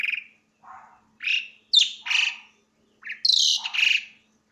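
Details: Asian pied starling in loud song, mixing low chattering notes, buzzy squawks and high, strained whistles in irregular bursts, some phrases rising sharply in pitch.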